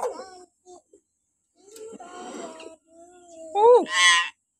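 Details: Common hill myna vocalizing in the morning for captive-myna training: low, mixed gurgling tones, then a loud rising-and-falling squawk ending in a harsh, buzzy burst.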